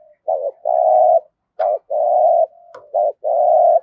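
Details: Deep 'giọng thổ' cooing from a decoy spotted dove: a short note followed by a long, steady hoot, repeated three times in close succession, with a faint sustained tone linking the phrases.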